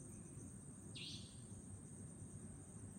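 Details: . Savanna nightjar at Chunghsing New Village, Nantou, Taiwan, on 11 April 2018: one harsh, buzzy note that starts abruptly and fades within about a third of a second. Steady low rumble and a constant thin high whine continue underneath.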